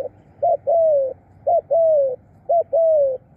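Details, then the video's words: Spotted dove used as a decoy to call birds in, giving clear two-part coos: a short rising note, then a longer, steady, slightly falling coo, repeated about once a second, three times. "ตามนกเรียกคู รู้ครุน นกเก่ง"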